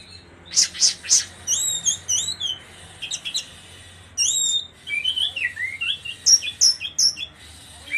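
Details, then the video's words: Orange-headed thrush from Indonesia singing the fierce 'trotol' style: short buzzy bursts, then a run of clear whistled slurs rising and falling, mixed with sharp high chips and scratchy notes in quick varied phrases. "anis merah trotol jahat"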